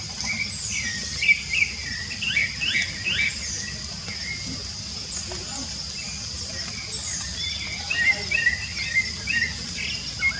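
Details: Rufous-bellied thrush singing free in nature in Brazil, short clear whistled phrases repeated at intervals, some quick fluttering notes, over a steady high insect hum and low background rumble.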